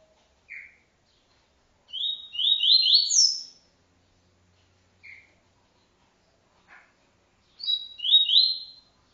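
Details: Double-collared seedeater giving its TuiTui-style encarte song: two bright, buzzy phrases of rising, stepped notes that climb high, about five seconds apart, with scattered short chip notes between them on a silent background.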